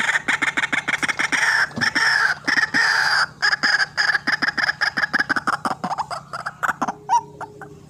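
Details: Trapping-lure recording of a white-breasted waterhen giving a dense, rapid string of harsh, grating pulses with a steady nasal tone, slowing and falling toward the end before fading into a faint hum.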